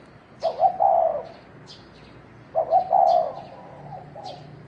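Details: Spotted dove in a fighting bout, giving low hollow cooing phrases of a few rolling notes, each phrase about a second long, repeated roughly every two seconds, with faint high squeaks between.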